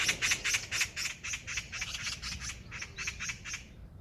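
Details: Eurasian magpie heard by chance on a walk, calling loudly enough to ring around: a harsh, dry rattling chatter of rapid grating notes, about eight per second, fading toward the end.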